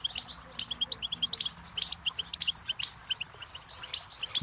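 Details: Goldfinch twittering steadily with a long run of quick, evenly spaced high chips and tinkling notes, fairly soft against faint background hiss.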